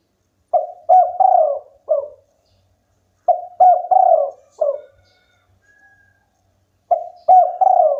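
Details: Local spotted dove singing repeatedly: four-note cooing phrases roughly every three seconds, short coos leading into a long mellow purr and a brief end note, with a faint thin whistle between them.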